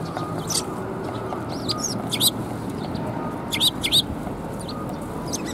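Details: Sparrows coming for food at a Tenmangu shrine on 24 February 2021. Short, sharp high chirps come singly and in quick pairs at irregular intervals, over a constant low hum of background noise.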